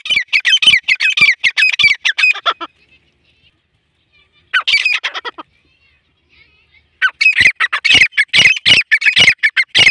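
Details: Black francolin (kala teetar) giving dense bouts of harsh, scratchy, squawking notes, three rapid bursts separated by a silent pause of about one and a half seconds.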